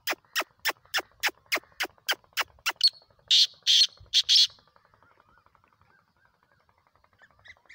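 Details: Black francolin, known locally as kala teetar: a rapid run of about a dozen sharp downswept clicks, then three rasping, buzzy notes, followed by near silence.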